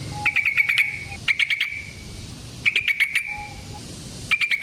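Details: Yellow-vented bulbul in a long rolling fighting-style song used as a lure to draw and trap others of its kind. Bursts of rapid, clicky chattering notes repeat about every 1.3 seconds, with a faint steady low tone in between.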